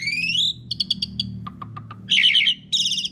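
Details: Asian pied starling singing loudly, a long recording used as a lure to get other birds singing: a rising whistled slur, a run of short clipped notes, lower pulsed notes, then harsh buzzy chattering bursts.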